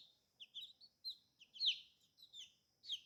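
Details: Soft, scattered peeps from colorful baby chicks, short high slurred notes with pauses between them, over a faint steady high hum.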